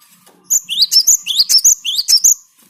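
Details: Cinereous tit singing in a recording meant to lure birds: a loud, rapid series of about ten bright, high, upward-flicking chirps lasting two seconds, with a faint low hum before it starts.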